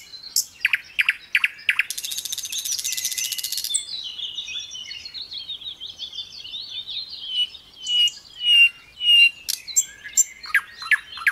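Little pied flycatcher song: a rapid, varied string of high, sharp chirps and thin twittering phrases, with a dense buzzy burst early on. The chirps come about every half second.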